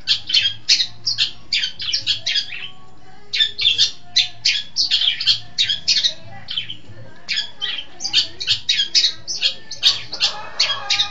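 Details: East Java long-tailed shrike in full song: fast, dense bursts of scratchy, squawking high notes in rapid runs, briefly pausing, over a faint low hum.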